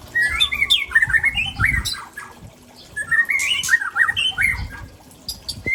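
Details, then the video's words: White-rumped shama, Aceh variety from Tangse, delivering rare imitation song: two bursts of rapid, jerky whistled notes jumping up and down, separated by a short pause, with low thumps underneath. "Murai Aceh SMBF Ori Tangse Sedang Bongkar Isian langka"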